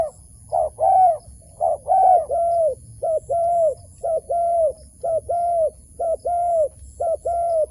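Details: Wild dove being enticed into a trap, cooing continuously in regular pairs of a short note and a drawn-out note, roughly once a second.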